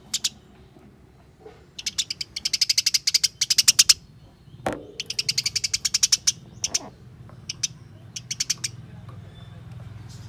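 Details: House sparrows fighting, caged, call in long rapid rattles of thin high chirps, dense runs broken by a sudden knock midway, with scattered single notes at the end.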